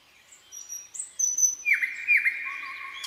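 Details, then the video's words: Common nightingale in a quiet spring pine forest: thin high whistles, then a loud buzzy sustained note with dips, ending on a low pure whistle. "пение соловья в тихом весеннем лесу"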